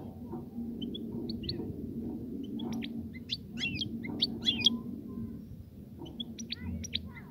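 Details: European goldfinch singing to stimulate the female to mate and nest; scattered short high twittering notes and tinkling chirps in loose bursts over a low background hum.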